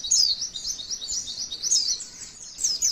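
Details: Short burst of female white-eye 'tembakan' song, used to draw song from other white-eyes: high, thin notes tumbling rapidly together, punctuated by a few louder sharp slurs.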